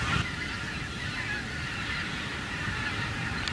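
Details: Wild geese flying above cornfield stubble after harvest, a softer steady mass of honking calls from many birds, a brief louder burst at the start, low rumble throughout.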